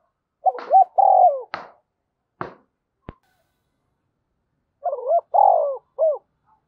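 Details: Decoy spotted dove in the 'giọng thổ sấm' style, calling with low phrased coos. Two phrases of short hoots around a long rolling note, separated by sharp knocks and thumps.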